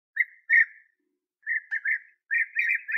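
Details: Bee-eaters at their last nest burrow, where young are still being fed, on a sunny 21°C day, 8 August 2017; rolling, burry calls near one pitch come in short bursts, a pair early, then a quick run of several.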